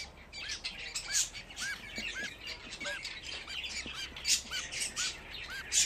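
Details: Group of fifteen budgerigar chicks: regularly spaced short arched chirps, roughly every half second, set against a constant hiss of scratchy high squawks.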